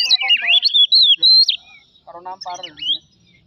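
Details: Oriental magpie-robin song used as a provocation lure: a burst of warbled and slurred whistles, then a short pause and a few harsh, nasal notes.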